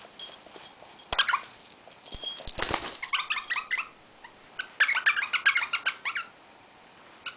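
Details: Pet rosella, 12 years old, at play indoors, giving quick series of short chattering squeaky notes in bursts, with some clicks and knocking sounds mixed in.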